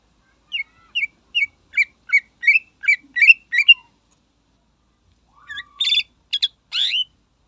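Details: Greater green leafbird in full, energetic song meant to provoke rivals: a run of quick, high, upward-flicking chirps about two or three per second, then a pause and a burst of dense, buzzy, jumbled notes.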